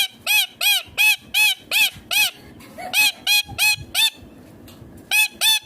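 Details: Indian green ringneck parrot making natural sounds while eating: a steady series of loud, harsh, ringing screeches, about three per second, in bursts with a brief pause midway and a short gap before the final pair.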